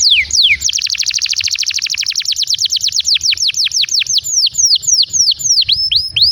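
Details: Canary singing, used to prompt young and silent canaries to sing: a long run of rapid downward-sweeping whistled notes, fast trills slowing into separate loud swoops.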